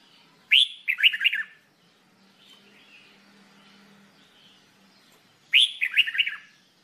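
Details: Red-whiskered bulbul, also called jambul bulbul, singing for training: a short phrase of bright, quick whistled and slurred notes, then a pause of about four seconds before the same cheerful phrase repeats, with faint background noise.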